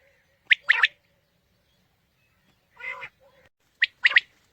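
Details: Quail calling, played to attract quail for a morning hunt: two crisp phrases of one short note and a rapid double note, separated by a long pause and a brief nasal, harmonic burst.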